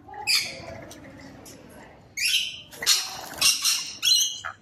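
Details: Rainbow lorikeet giving harsh, buzzy screeches in short bursts, a first squawk followed by a pause and then a quick run of four loud rasping calls.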